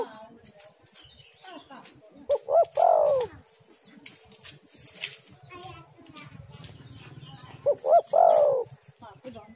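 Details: Spotted dove female call used as a lure for males, a two-part cooing phrase of a short rising note then a longer warbling coo near 700, repeated about every five seconds, with faint clicks and rustling behind.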